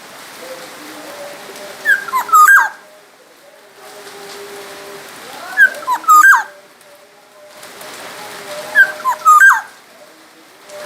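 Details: Sumbawa black-naped oriole song for tutoring other songbirds, three short phrases of looping, slurred whistles ending in a harsh note, roughly every three and a half seconds, over steady hiss and a faint low hum.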